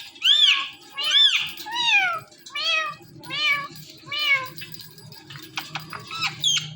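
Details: Pet ringneck parrot indoors mimicking a cat's meow: a run of about seven arching, nasal meows roughly one per second, followed by scratchy chatter, with low room noise beneath.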